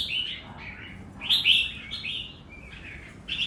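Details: Red-whiskered bulbul singing in the doubled style, a short run of bright warbled whistles followed by a louder rising-falling phrase and a final quick whistled flourish.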